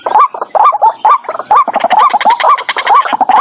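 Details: White-breasted waterhen lure call for trapping speakers, recorded without background noise: loud, dense, rapid croaking notes with a hoarse rising twist, overlapping as if several birds call at once.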